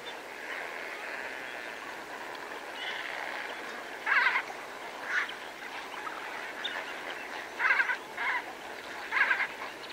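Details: Greater flamingos, several birds feeding among lesser flamingos, recorded fairly close: scattered short nasal honks, some doubled, rising from a steady murmuring flock background, with spur-winged goose calls also in the mix.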